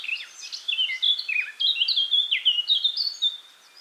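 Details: Eurasian blackcap singing a fast, varied warble of clear whistled and slurred notes, bright and high, rising and falling in quick succession without pause for about four seconds.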